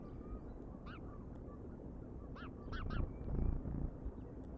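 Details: Bald eagles on a nature live cam, 31 August 2022 at about 19:02: one high chirp, then a tight run of three clear harmonic piping notes, followed by louder low rumbling noise.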